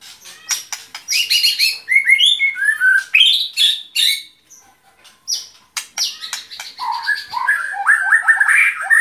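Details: White-rumped shama song: bursts of sharp clicks and chattering notes alternate with clear whistled slurs and rising-falling warbles, with a short silent gap midway before a softer, lower, rapidly trilled phrase.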